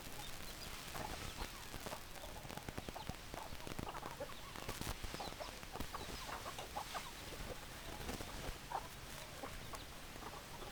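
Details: Dense clucking from several chickens, with quick overlapping notes, sharp clicks and scuffs, and occasional higher squawky notes over steady background noise.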